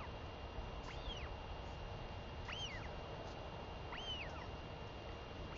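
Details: Begging female royal albatross chick, fed by her mother on her return after seven days away, 23 May 2021; three clean arched whistles about 1.6 seconds apart over persistent wind-like noise.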